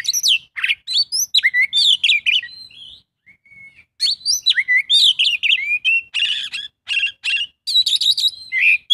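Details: Varied Oriental magpie-robin song full of borrowed phrases, with rich whistled slurs, quick twitters and buzzy chattering bursts in phrases broken by short pauses.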